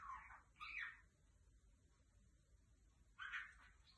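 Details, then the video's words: Ornamental lovebird giving two quick raspy squawks, then a long silence, then a third harsh call near the end. "أصوات طير الحب يتكلم"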